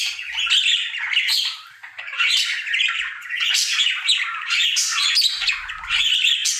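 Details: Budgerigar, a cheerful male pet, singing daily: nonstop buzzy chatter with harsh squawky notes and high squeaks, dipping briefly near the middle before resuming.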